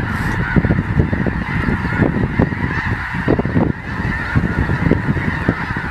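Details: Snow geese flocks circling before landing near a mine southeast of Colonsay, Saskatchewan, on 12 October 2020; a dense, continuous chorus of many overlapping honking calls, with strong gusty wind rumbling underneath throughout.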